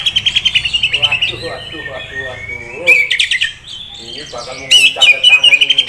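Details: Prospect Oriental magpie-robin in Kisaran pours out a steady run of rapid, evenly repeated chirps, a pause with softer harsh notes, then a fresh burst of quick bright trilling.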